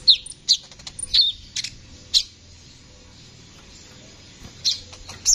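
A sunbird gives thin, very high, sharp chips, about two a second, then pauses briefly before a few more notes. A faint low hum runs underneath.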